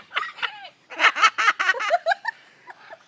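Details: Captive umbrella cockatoo at Parrot Mountain, Pigeon Forge, Tennessee, mocking visitors by copying their laugh: a burst of rapid, harmonic ha-ha pulses, a few scattered notes before and after.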